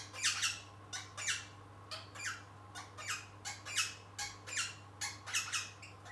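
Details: Young rosella parrot chick kept indoors, playing and trying to sing: a lively string of about a dozen harsh, squawky chirps, one burst roughly every half second, over a faint steady room hum.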